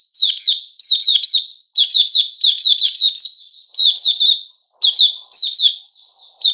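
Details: Sooty-headed bulbul recorded 10 July 2021, singing bursts of quick, bubbly high notes with sharp upper overtones, grouped in short phrases separated by brief pauses.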